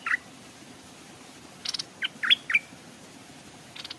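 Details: A decoy Stripe-throated Bulbul hangs in a cage by a forest stream to lure wild birds, which approach but will not land. Sparse quick slurred chirps, one note at the start and a cluster mid-way, with faint rushing water below.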